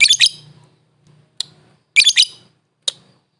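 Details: World-champion competition lovebird uttering two short bursts of harsh, buzzy, high chatter, each followed by a single sharp chip, with pauses between and a faint low hum behind.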